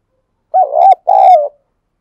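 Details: Spotted dove used as a decoy bird, singing strongly to stir up rival doves; a loud two-part coo, a wavering first note then a longer steady hoot dropping at its end, very close and clean.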